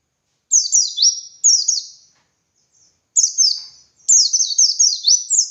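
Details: High, sweet twittering of a white-eye (pleci dakun) in ngalas style, meant to teach other white-eyes: two quick phrases of downward-slurred notes, a gap with a faint chip, then a longer, unbroken string of falling sweeps.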